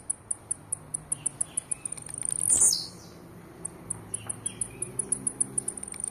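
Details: A blue-black grassquit sings aggressively: one explosive, buzzy, high 'tee-zee' burst midway, with rapid, very high ticking notes repeating several times a second throughout.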